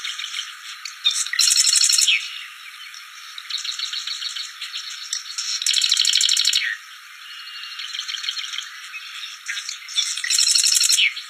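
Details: Bar-winged prinia in the wild, giving three loud bursts of fast, rattling, high-pitched chip notes roughly every four seconds, with quieter twittering notes filling the gaps.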